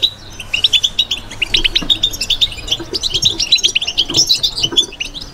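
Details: European goldfinch, a kept bird, singing in the batbata style: rapid liquid twittering with tinkling high notes and short buzzy trills running almost continuously, faint low clatter underneath.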